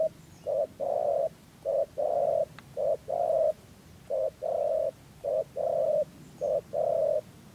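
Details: Lure spotted dove from Dak Lak, Vietnam, used for trapping, giving rùng gù cooing: steady pairs of low mellow notes, a brief coo followed by a longer held one, about six pairs in even rhythm.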